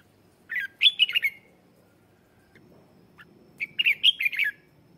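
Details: Lure red-whiskered bulbul sings to call wild birds and spur them into fierce singing; two lively warbling phrases of rapid chirpy notes, about three seconds apart.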